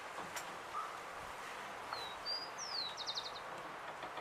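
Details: Urban rufous-collared sparrow in Uruguay gives one song after a brief quiet chirp: two thin high whistles, a falling slurred whistle, then a fast four-note trill, with traffic-like rumble throughout.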